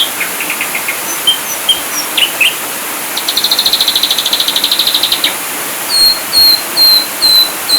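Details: Ashy drongo delivering varied song: scattered short chips and whistles, then a two-second rapid pulsed trill, ending with a run of clear, level whistled notes repeated about every half second.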